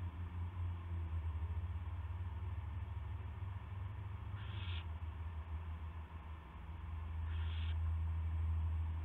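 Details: 2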